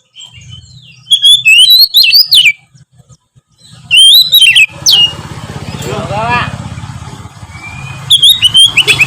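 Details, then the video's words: Chatty oriental magpie-robin song, used to encourage lazy magpie-robins to sing more. Quick, varied whistled phrases with sharp upslurs, partly masked by broad rumbling noise like a passing vehicle and a low hum. "siulan kacer gacor memancing kacer malas bunyi menjadi lebih rajin bunyi"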